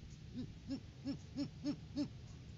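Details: Great horned owl at the nest during pre-season courting, recorded on a live cam on January 9, 2023: six soft, evenly spaced low hoots, about three per second.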